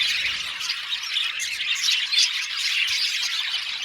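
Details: Colony of budgerigars in an aviary, a thick, constant chatter of scratchy high chirps and squawky twitters at even loudness.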